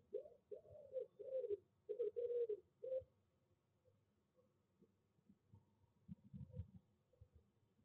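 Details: Female tawny owl inside a nest box on 26 February 2021, around the laying of her first egg; six short, hoarse mid-pitched notes in quick succession over three seconds, followed by soft rustling and shuffling.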